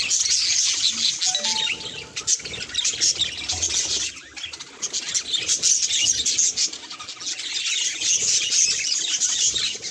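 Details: Budgerigar chattering at its reflection in a mirror, a continuous stream of high, buzzy warbles and rapid chirps, fading briefly near four seconds before resuming.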